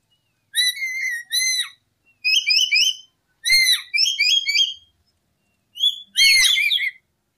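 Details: Lory (nuri or urip) calling for trapping: two long curved whistles, then clusters of short upslurred whistles and a final loud squealing burst.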